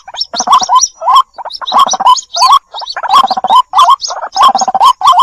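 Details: Dense white-breasted waterhen lure call with chick calls, harsh gurgling low notes run together with high squeaks and chirps in rough bursts, almost continuous, loud and crowded.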